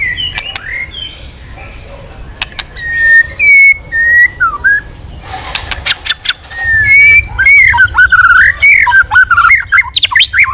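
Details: White-rumped shama singing as a lure to get other birds singing: clear whistled notes and slurred descending phrases, a buzzy trill, then a dense burst of varied fluting sweeps mixed with sharp clicks.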